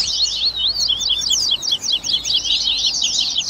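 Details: Continuous rapid twittering of a Double-collared seedeater in the baderninha style, used to encourage a caged bird to sing: tightly packed high, zigzagging notes with barely any break.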